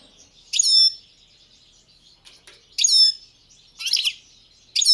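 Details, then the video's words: {'caption': 'Balkan goldfinch producing separate bright, liquid chirped notes, about one every second or two, each a short burst of tinkling high tones.'} "Pesma štiglića, češljugara , grdelina, lokera carduelis balcanica"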